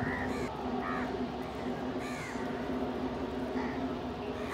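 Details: Crows feeding together alongside a pigeon, competing for food: short arched caws, some doubled, come at irregular intervals over a steady low hum of background noise.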